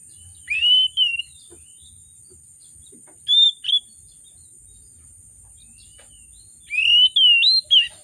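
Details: Oriental magpie-robin singing excitedly with a varied repertoire, played to coax silent birds into song: three separated groups of bright, looping whistled notes, the last a quick twisting run, with a soft low rumble and a faint high whine.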